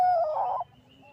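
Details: Zebra dove (Geopelia striata), Bangkok type, calling to a rival bird, used as a lure: a single mellow mid-pitched coo breaking into a quick rolling warble, stopping abruptly after about half a second.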